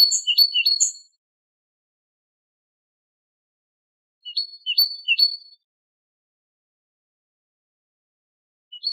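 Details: Great tit singing with tones compared to hammering metal. Three short bursts of high, quick repeated note pairs spaced several seconds apart, with silence between.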